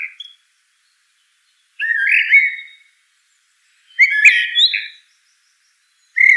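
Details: Common blackbird (Turdus merula) singing: two rich, fluted warbled phrases around mid-pitch, each ending in higher twittering notes, separated by about two seconds of silence, with the start of another phrase at the end.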